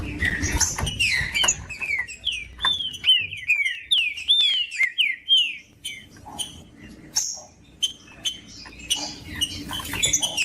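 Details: Trinca-ferro (green-winged saltator) song meant to warm up a cold cage bird: a rapid run of loud, clear downslurred whistles, then scattered chirps, clicks and thin high notes over faint background hum.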